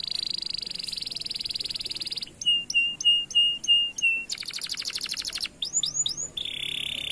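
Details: Canary lure song for prompting silent birds to sing: a long buzzy high trill, then five clipped whistled notes about one per second, a dense rattling burst, curving sweeps and a final buzzy trill.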